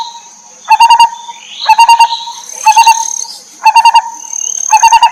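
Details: Lineated barbet, a mother bird feeding her chicks: short bursts of four or five deep, throaty hoots, repeated about once a second, over a steady high insect-like whine.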